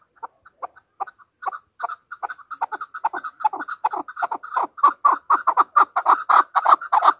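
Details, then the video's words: A chukar partridge's call accelerates from soft, spaced clucks into a loud, rapid rattle of chuck notes, about three to four per second by the end. "Pakistan National bird chakor ki awaz | Hunter chukar voices | Hunter Chukar sound"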